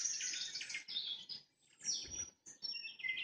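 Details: Nightingale singing at sunset: bright, high trilled phrases broken by short pauses, with a brief low thump near the two-second mark.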